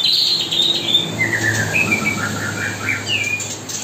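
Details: Kapas tembak singing continuously day and night while white-rumped shama young are fed; high sweeping notes give way to a run of clear mid-pitched whistles, some rising, some falling, with a low hum underneath.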